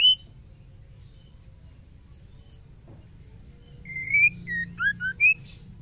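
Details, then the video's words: Female white-rumped shama calling a male: a loud whistle opens the clip, soft distant notes follow, then a full phrase of a long rising whistle, short notes, low slurs and an upslurred end. "SUARA KETREKAN MURAI BATU BETINA GACOR MEMANGGIL JANTAN"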